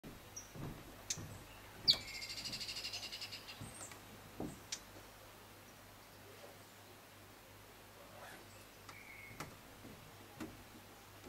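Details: Variable sunbird (Cinnyris venustus igneiventris) recorded at Kibuye, Rwanda, in March 2013, gives a quick, high, buzzy twittering song burst under two seconds, then scattered sharp chips over a low steady hum.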